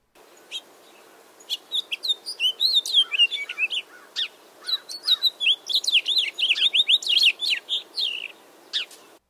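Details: A House Finch sings in winter in eastern North America: a long, jumbled warble of many short, varied notes sweeping up and down in pitch, with a few brief pauses.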